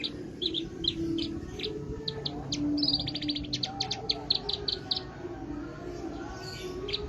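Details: Javan bush lark singing a series of short, high, clipped notes and brief chattering runs, repeated several times a second, over a steady low hum.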